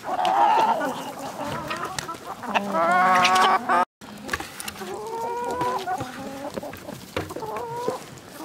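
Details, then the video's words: Village chickens calling: a loud drawn-out squawk near the start, a rising harmonic cackle around three seconds, then a run of short level clucks repeated about twice a second, with other hens clucking behind. "Dinlendirici Tavuk Sesleri Doğal"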